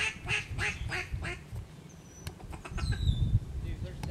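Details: Ducks at an East Arkansas reservoir on 22 November 2011, rising from the water in waves. Rapid nasal quacks repeat several times a second at first, with thin descending whistles over a heavy low rumble of wings and wind.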